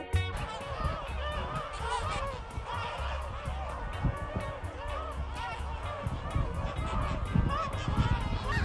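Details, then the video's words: A large flock of wintering snow geese near Vancouver honks continuously, many overlapping nasal, barking calls in a constant chorus over a steady low rumble. "雪雁 Snow geese"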